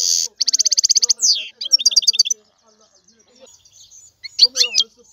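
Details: Song of a European goldfinch opening with an even, rapid trill, then a falling buzzy note and clipped twittering, followed by a quieter stretch and a final burst of sharp chirps.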